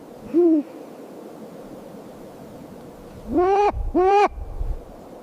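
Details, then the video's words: Snowy owl chirping: one faint arched harmonic note, then two loud, rich, slightly downslurred notes about half a second apart near the end, over a quiet background. "Snowy owl chirping sound"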